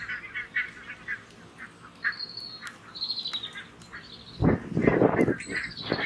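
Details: Grazing barnacle geese on full alert as two red foxes close in: a series of short yelping honks at mid pitch, then a louder burst of overlapping calls and rustling. Thin high whistles are also heard.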